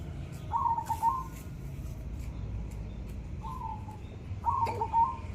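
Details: Zebra dove, a kept bird said to sing actively after proper, consistent care; three low, rolling cooing phrases near one kilohertz, each about half a second long, over steady low background rumble.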